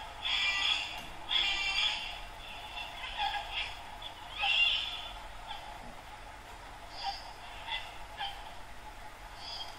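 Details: Sulphur-crested cockatoos, flocks perched on a dead riverbank tree on the Brisbane River, Yeronga, Queensland, on a balmy morning from twilight to sunrise: harsh, raspy screeches in loud one-second bursts, with fainter squawks from other birds of the flock between.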